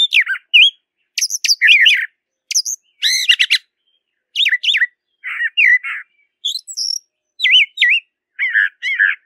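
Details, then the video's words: A brown thrasher sings outdoors, delivering a rapid chain of different phrases: sharp downslurred notes, rich warbles and rising whistles, several repeated in pairs, with short gaps between. "Birds Singing - Brown Thrasher"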